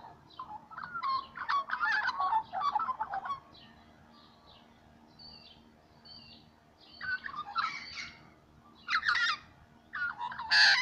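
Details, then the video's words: Little magpies singing in the morning: bursts of warbled, harmonic notes with quick rising and falling tones, in separate phrases of one to three seconds with quiet gaps between, the last phrase loudest and harsher. "Littlle magpies singing in the morning"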